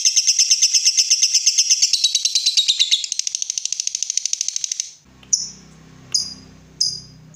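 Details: Lovebird giving a long 'ngekek' trill, used as a lure to make other lovebirds answer and sing: a very fast, high, rattling chatter lasting about five seconds, then a low hum with a few sharp chirps.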